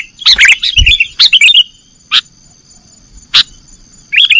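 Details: Kutilang (sooty-headed bulbul) nggaruda song used to train cage birds: two bubbly warbled phrases at the start, then isolated sharp chirps spaced by quiet gaps, ending with another warbling burst.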